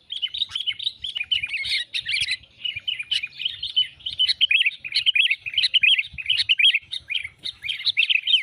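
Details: Trapping lure call of the sooty-headed bulbul: energetic, unbroken chatter of bright chirps and scratchy warbles in tight clusters, with faint low thumps in the background.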